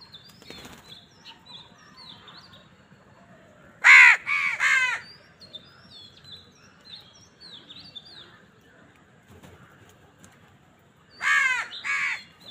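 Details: During a fight for food, crows are quiet at first with faint high chirps of small birds. Then a burst of three rapid raucous caws comes, a lull, and two more harsh caws near the end.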